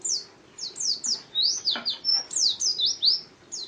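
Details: White-eye (pleci) contest bird delivering scratchy, very high chirps that sweep downward, spaced at first then tumbling into a quicker jumbled run with one flat whistled note.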